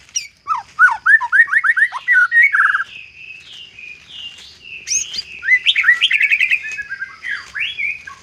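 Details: White-rumped shama singing a murai batu isian song, used to stir a quiet shama into singing: varied clear whistled phrases, quick rising and falling slurs, rapid chip series and trills shifting in pitch, a few brief pauses.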